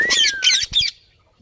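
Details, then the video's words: Australian parrots give three harsh, raspy squawks in quick succession, each broad and grating, with a faint thin whistle beneath the first two. "Australian parrots natural sounds"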